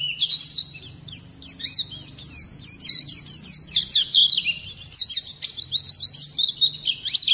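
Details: Oriental white-eye pouring out continuous song to stir other birds into singing, a steady fast stream of high, sharply slurred whistles and trills with no real pause.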